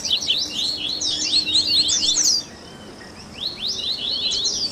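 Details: Double-collared seedeater song in the baderninha style, used to warm up captive birds and encourage them to sing: dense bursts of rapid, high, buzzy zigzag chirps. The notes pour out for about two seconds, pause, then resume.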